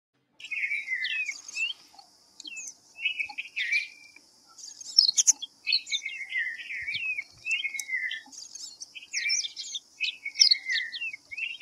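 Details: White-browed fantail (Rhipidura aureola) giving a long run of clear whistled notes, many sliding downward, in short phrases with brief pauses, over a steady high background hiss.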